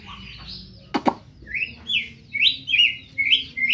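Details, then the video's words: White-rumped shama from Medan giving clear, rich whistled phrases that slide and warble, spaced about half a second apart, interrupted early by two sharp clicking knocks. "Burung murai batu medan"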